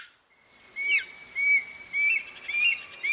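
A Black-throated Magpie-Jay gives short, bright whistled notes with a slightly rough edge, about two per second, over a steady high insect-like drone.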